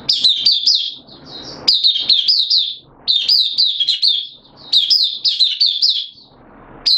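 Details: Kept oriental white-eye (Mata Puteh) in open singing, recorded 8 September 2022 with its form slightly down: high, rapid twittering phrases of quick rising-falling notes, each burst about a second long, separated by short pauses with faint low background rumble.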